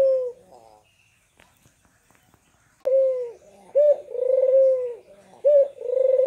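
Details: Barbary dove coos meant to stir silent caged doves: a coo, a second of quiet with faint clicks, then short-note-plus-long-rolling-coo phrases twice.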